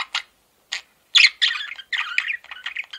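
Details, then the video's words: Male budgie at home: two short isolated chirps, then a denser stretch of harsh, buzzy chatter and squeaky notes running to the end. "MALE PARAKEET SOUNDS"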